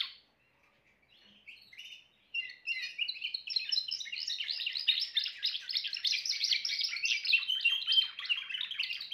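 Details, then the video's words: Timbrado canary singing: after a quiet start and a few scattered notes, a dense, continuous run of rapid, rolling syllables sets in at high pitch, repeated about three times a second with little other sound. "meilleur chant canari l chant canari timbrado"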